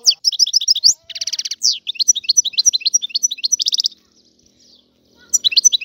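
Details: Algerian goldfinch, described as free, delivering rapid liquid twitters and upward-flicked notes broken by a short buzzy rattle, a second burst of quick chirps and a brief pause before the twittering resumes.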